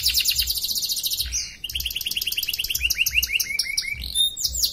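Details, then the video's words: Canary singing for an Indonesian online contest, Pontianak, West Kalimantan, in its cage: a rapid metallic rattle, then a run of quick rising chirps and downslurs, with soft low thumping in the background. "LOMBA KENARI ONLINE 8 - Aksi KENARI"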